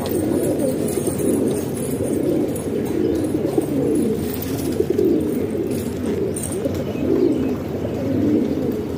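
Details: A loft of pigeons in a house in Pakistan, many birds cooing in low, pulsing bursts that rise and fall. Light rustling and a few knocks are heard in the background.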